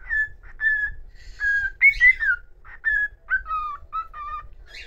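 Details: Pet cockatiel whistling a solo tune: a series of clear whistled notes, mostly level, with one rising and falling slur in the middle and several short notes that drop in pitch toward the end.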